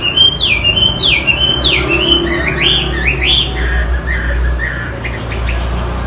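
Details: A Chinese hwamei sings ringing whistled phrases that drop in pitch and are repeated several times, then give way to softer rising notes, with a low rumbling hum in the background.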